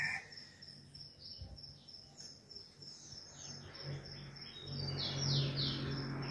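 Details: A rufous-collared sparrow sings from around the house in summer: faint, high whistled notes that slur downward, over a steady low hum and background noise.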